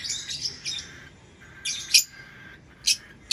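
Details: Lovebird chirps: a few short, shrill, high-pitched chirp bursts spaced irregularly, ending with two sharp squeaky notes.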